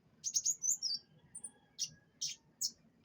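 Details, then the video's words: Canary at pengembunan gives bright high chirps and a quick descending whistled slur, followed by evenly spaced sharp single notes about every half second. "pengembunan burung kenari"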